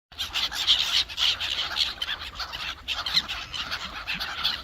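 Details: Seagulls arguing and fighting for food over a frozen lake in an urban park in winter, with ducks nearby: a dense overlapping chorus of harsh, squealing cries, rapid and irregular, from many birds at once.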